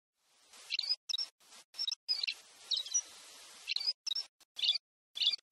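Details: Pileated Parrot from Brazil giving short, sharp, high chirped notes, singly and in quick pairs, about ten over five seconds, separated by abrupt silent gaps, with faint background hiss.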